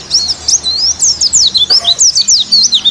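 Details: Pleci white-eye of the Bali dakun style, played as lure and therapy. Loud, very high, rapid twittering of short sweeping notes runs without pause, in pulses several times a second.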